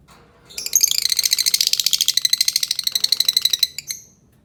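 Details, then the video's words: Albino lovebird producing a continuous, rapid, buzzy chatter of about three seconds, many shrill pulses running together at a steady fast pace, ending in a single high squeak. "Suara Burung Lovebird Albino"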